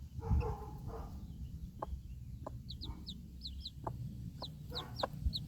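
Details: Broody backyard hen standing guard over four baby chicks while they feed outdoors after a dog barks; short low clucks are spaced about a second apart under repeated thin, falling chick peeps, with low ambient rumble.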